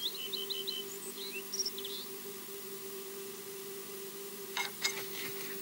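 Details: Osprey EJ, heard but not seen on the Loch Garten nest camera in Scotland, gives a quick run of short, high whistled chirps, then falls quiet, over a steady electrical hum with a few knocks near the end.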